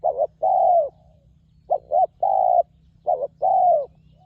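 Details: Spotted dove from the wild, lured on the ground and noted for a good, ringing voice. Three mellow coo phrases: a quick double note, then one sustained hollow coo, with steady low background hum.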